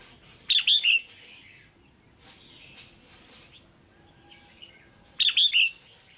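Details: Female caged red-whiskered bulbul, calling to stimulate a male or to pair, gives two loud, bright triple-note calls about five seconds apart with soft murmuring notes between.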